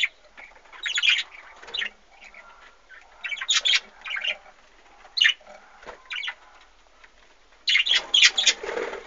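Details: Aviary budgerigars with their chicks, recorded in 2013, giving bursts of harsh, scratchy chirps and squawks separated by quieter chatter, with a dense cluster of calls near the end.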